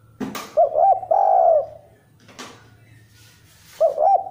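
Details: Indoor zebra dove, singing a quicker than usual song meant as a lure for other birds: bubbling cooed notes running into a sustained purring trill, then the phrase starting again after a short pause.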